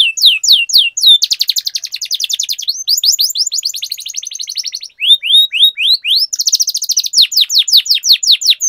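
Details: Canary lure song for coaxing silent canaries to sing: fast buzzy trills alternate with runs of loud downward-sweeping whistles, rolling continuously and brightly throughout.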